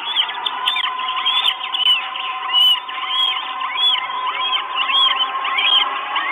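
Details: Northern goshawk chicks begging for food, four nestlings at an Estonian nest, 1 June 2022, live nest camera: repeated arched whistles about once a second over a constant low drone.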